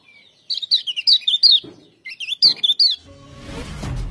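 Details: Lemon-bellied white-eye (Zosterops chloris) singing two quick bursts of high, sweet, warbled twittering, each about a second long, followed by a low rumbling hum.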